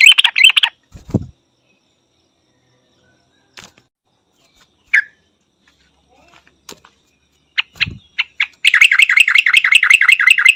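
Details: Yellow-vented Bulbul with a short burst of sharp notes, scattered single chips and a few soft thumps, then a closing two-second run of rapid, ringing repeated notes.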